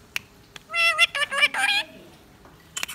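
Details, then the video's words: Pet Indian ringneck parakeet, a talking bird that speaks words and laughs, producing a burst of harmonic, voice-like chattering syllables, like spoken words, between a few sharp clicks, indoors. "Talking parrot saying mian mithu | parrot talking and laughing"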